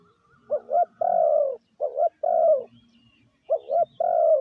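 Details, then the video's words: Three cooing phrases from a spotted dove giving a lure call for decoy training, each a brisk two-note coo leading into a sustained, gently falling coo, with pauses between phrases. "Tiếng chim gáy gù gọi mồi cực chuẩn"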